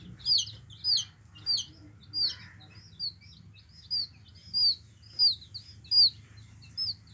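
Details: Yellow hen chicks cheeping, a clean high peep sliding downward, repeated roughly every 0.6 seconds in a steady series over a quiet background.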